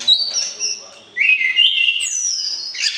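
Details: White-rumped shama kept for pairing before the breeding cage, calling to stir the opposite sex: loud sustained whistles, first high and level, then a lower rich note, and a final bright high slur into a burst.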